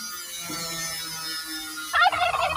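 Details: A free-range pastured turkey lets out a short, rapid, rattling gobble near the end, after a stretch of quiet background hum.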